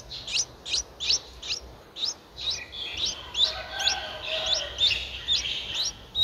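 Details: A 9-day-old Streak-eared Bulbul nestling, whose eyes opened at 7 days, gives thin, high, squeaky chirps, about two per second, in a steady run over a soft background hiss; Ubon Ratchathani, Thailand, 11 April 2023.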